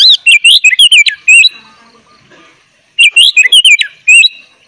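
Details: Gacor sooty-headed bulbul singing full isian, used for tutoring young birds: two loud bursts of fast, wavy whistled phrases with sharp chirps, separated by roughly a second and a half of quiet.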